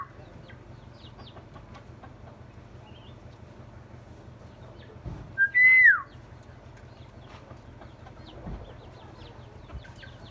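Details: Myna, described as a bird with many voices that can learn human sounds, giving one loud, clear whistle that rises and then slides down, after a short lead-in note, against a quiet background with faint clicks.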